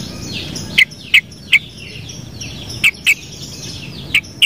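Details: Sooty-headed bulbul song: short, loud whistled notes, several in quick pairs spaced under half a second apart, over a soft background chorus of fainter birds.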